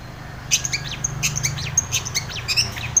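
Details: Lively long-tailed shrike song, meant as a lure for shrikes that will not sing: brisk repeated chirps and thin high whistles, steady and bright, about three notes a second over a low hum.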